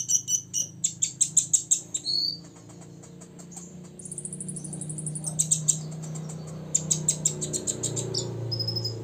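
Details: Six-year-old olive-backed sunbird in full song, said to provoke rivals: rapid bursts of very high, sharp ticking notes repeated in quick series, a short rising whistle, and a long thin high trill, over a steady low hum.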